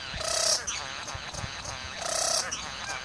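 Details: Male satin bowerbird in the Southern Highlands serenading his female with dance and imitations of other birds: two loud, harsh, honking notes rich in overtones, each lasting about half a second, separated by softer buzzy chatter.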